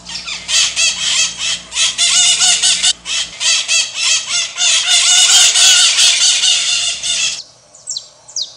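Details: A dense chorus of Pionus parrots, the maritacas of Brazil, screeching harshly and continuously, strident calls overlapping for about seven seconds before stopping, leaving a few faint high whistles.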